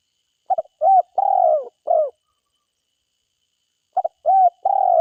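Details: Forest-dwelling spotted dove calling lively: two complete phrases about three and a half seconds apart. Each has a stuttered double note, an arched coo and a long falling coo, and the first also has a clipped ending coo. The coos are low and mellow.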